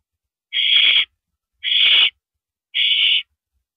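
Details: Owl at the nest at night, 10:30 PM on April 5, 2012, with a mouse being delivered: three rasping, hiss-like screeches of about half a second each, evenly spaced about a second apart against silence.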